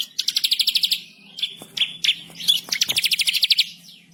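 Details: Bar-winged prinia singing agitated masteran song with rolling trills: quick regular buzzy trill, a few sharp slurred whistles, then another fast rattling trill.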